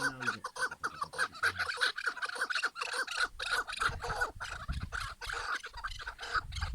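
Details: Chukar partridge calls in a rapid run of clucking chuk notes, irregularly spaced and overlapping as if from several birds, with low rumbling noise underneath.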